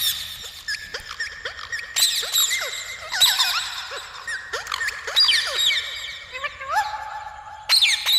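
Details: Parrot vocalizing with a rapid mix of squeaky whistles, rising and falling chirps and sustained tonal notes, several loud bursts near two, three, five and eight seconds, mostly high-pitched with no clear human speech.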